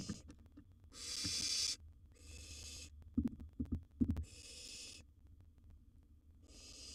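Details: Young barn owl in a wild nest box tackling a large gerbil; repeated breathy hisses about a second long, some quieter, with bumps and clattering from movement between them.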